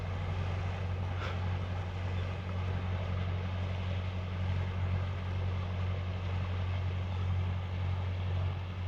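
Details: A low, steady motor drone with a constant humming tone runs throughout, and no animal calls can be picked out.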